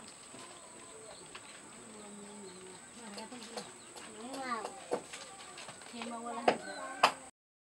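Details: Purple-naped lory (Lorius domicella), endemic to Maluku, Indonesia, giving nasal, wavering calls that build to two loud, harsh screeches near the end, over a steady high-pitched whine.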